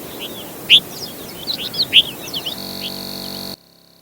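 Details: Desert Finch uttering a quick string of high, sweet chirps and twitters for a couple of seconds, then a steady electronic tone takes over before silence.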